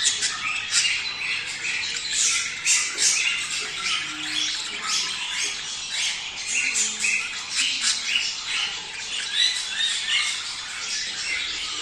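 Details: Budgerigars calling together to spur pairs to mate: a busy stream of harsh chirps and squawks pulsing in quick irregular bursts, never pausing, from a crowded group of birds.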